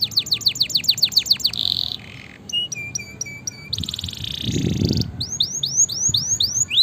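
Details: Canary singing for training and prompting a quiet canary: quick series of downslurred whistles, a short buzz, spaced clipped notes, a dense trill, then upswept whistles repeated rapidly.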